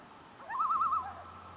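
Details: Loon on a Black Hills lake in South Dakota at dusk, giving a brief tremolo: a rising start into a rapid wavering warble of several pulses, then fading, with faint background hum.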